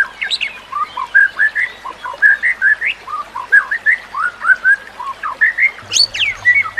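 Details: White-rumped shama singing for a training recording with nature sounds and water: a series of mellow, lower whistled notes, many short upslurs repeated roughly three per second, ending in a higher sharp rising flourish.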